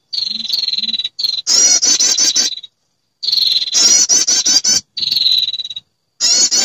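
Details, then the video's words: Female prinia calling to males, used as a lure for trapping: thin sustained high whistles alternating with bursts of rapid, rattling, buzzy trilled notes, separated by short silent gaps. "SUARA PIKAT PERENJAK BETINA memanggil jantan"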